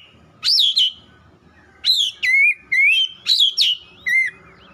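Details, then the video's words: Oriental magpie-robin song played as therapy audio for the bird: five loud, clear whistled phrases, each a sharp upslur dropping into a sliding or rising whistle, separated by short pauses over a faint low hum. "TERAPI TERAMPUH KACER CEPAT NGOTOT"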